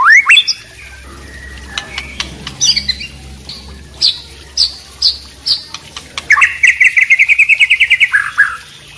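A white-rumped shama sings rich, varied whistles and sharp clipped notes, then a fast, even rattling trill of about twenty notes. Trickling water murmurs faintly underneath.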